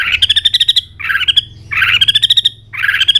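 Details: Competition-style song of a White-rumped shama in peak form, tail flicking continuously: rapid pulsed trills of bright, high notes delivered in short phrases about a second apart, each opening with a buzzy burst, with a low steady hum beneath.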